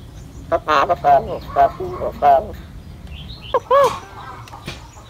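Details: Talking bird imitating human speech, said to be very clear: a series of short voiced, speech-like syllables with harmonic tones, then a louder two-part warbled phrase, with faint background noise.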